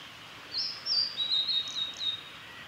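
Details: Male Blue-and-white flycatcher singing on a forest road at Lake Miyagase, Japan, 3 May 2020: one clear whistled phrase of about two seconds, sliding down from high notes into a level trill, over steady background noise.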